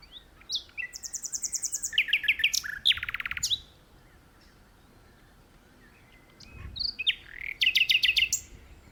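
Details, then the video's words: A Common nightingale sings in a tree in an unusually open spot. A long phrase of rapid repeated chirps and high thin whistles ends in a dry rattle; after a pause of about three seconds comes a second phrase of whistles and fast rattling notes. "Nightingale Singing"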